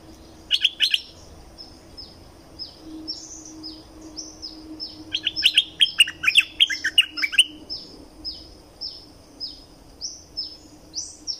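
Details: Streak-eared bulbul of southern Thailand delivering two bursts of rapid, warbling chirps, while another bird repeats short high descending notes throughout.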